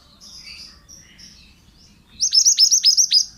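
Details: Pied bushchat in lively song, recorded as a training track for other birds: after two seconds of faint high chirps, a loud phrase of six quick, sharply dropping whistled notes runs for about one second.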